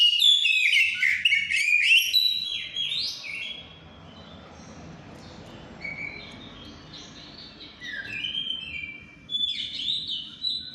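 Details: Shama in heightened breeding condition giving ngeplong song, a loud cluster of varied whistles and trills at the start, then softer, spaced whistled notes over a steady background hiss.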